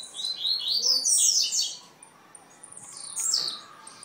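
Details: Blue-black grassquit from Jacarepaguá, Rio de Janeiro: a dense burst of high, chirpy, buzzy notes for over a second, then a quieter gap and a second shorter flurry of sharp descending chips.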